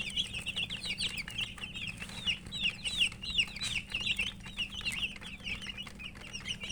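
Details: Domestic chicken chicks (murgi) eating and chirping, many high, quick, slurred peeps, about two or three a second, with soft pecking sounds and a low steady hum.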